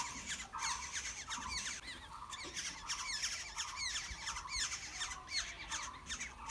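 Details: Nestling black-hooded orioles fed by wild parents call in an unbroken, hurried series of thin, buzzy, rasping notes, about 80 a minute, over a soft low background.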